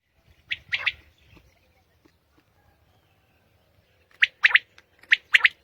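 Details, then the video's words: Common quail singing in the early morning in Pakistan: sharp, clipped notes. A brief burst comes first, then after a silent gap a run of quick three-note phrases, each note a short bright click-like whistle. "New Common Quail sounds| Batair Ki Awaz | Quail singing early morning in pak"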